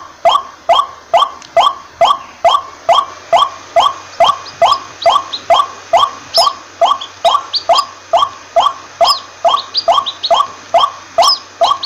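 A waterhen repeats a harsh, croaking note over and over, a little more than twice a second, in a steady, monotonous run over faint background hiss.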